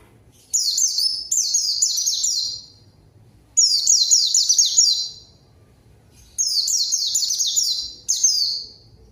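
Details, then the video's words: Lure song of a strongly singing white-eye meant to provoke a rival into answering and singing along: three separate bursts of quick, thin, high, falling whistles, each about two seconds long with clear silent gaps between. "PANCINGAN PLECI GACOR MANGGIL LAWAN PLECI BAHAN LANGSUNG RESPON DAN IKUT BUNYI"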